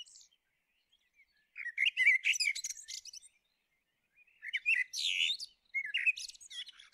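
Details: Song of a common blackbird: mellow fluted notes passing into busy high chattering twitters, given in two longer phrases and a short third.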